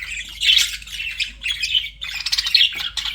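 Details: Pet budgies flirting give short squawky, buzzy chirp phrases at a steady high pitch, loudest near the start and again after a brief lull.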